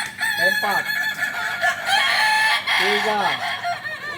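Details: A kukuak balenggek crowing practice contest in Panyakalan, Solok. Continuous, loud overlapping crows from several roosters fill the clip, with a person's voice rising and falling beneath them.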